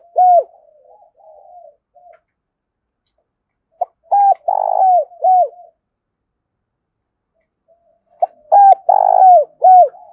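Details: Spotted dove giving 'thúc'-style cooing ('giọng hạp bổi') meant to draw wild doves close. Three throaty phrases of short clipped notes around a longer rolling coo, separated by quiet gaps of about three seconds.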